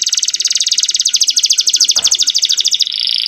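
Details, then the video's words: Young canary singing to make female canaries come into breeding condition: a quick rattling trill held nearly three seconds, then a steadier high buzzy tone, with a faint click partway. "MASTERAN KENARI MUDA GACOR ISIAN DAN BIKIN EMOSI - pancing kenari betina agar cepat birahi"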